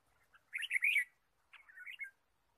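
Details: Red-whiskered bulbul chirping in the forest during a bird-trapping outing, 23 March 2017: two loud, cheerful warbled phrases, the first rich and rolling, the second shorter and lower, in a quiet setting.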